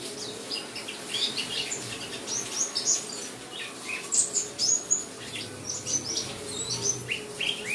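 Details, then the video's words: Pet white-eye singing with rain in the background: dense bursts of thin, high chirps and rapid twitters, some notes sharply rising, over continuous soft rain noise. "Pleci Buxtomi. Terapi suara hujan."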